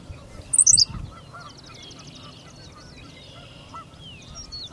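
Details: Henslow's sparrow singing at Goose Lake Prairie: one very brief, high, sharp hiccup-like burst of clustered notes, with other birds chirping and trilling faintly behind.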